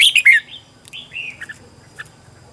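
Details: Short loud whistled flourish, dropping in pitch, from a red-whiskered bulbul used as a decoy to lure wild birds in Vietnam, followed by a softer slurred note and faint chips.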